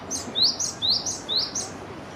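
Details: Japanese tit singing while preening: four quick, high, thin notes sliding downward, evenly spaced about half a second apart, over a quiet background.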